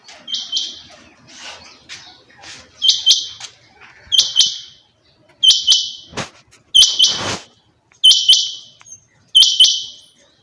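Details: Female rain quail repeating high, rasping two-part calls about every 1.3 seconds, seven clear calls in a row, with softer calls early on and a couple of brief rustling thumps.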